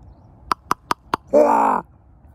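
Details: Common raven calling on a frosty Monday morning: four sharp clicking knocks in quick succession, then one loud, harsh, drawn-out gwah lasting about half a second, in a quiet indoor space.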